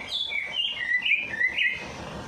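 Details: Songbird singing after its night bath, used to coax a reluctant bird into song; a quick run of bright whistled notes sliding down and up in pitch, loud and clear over a quiet background.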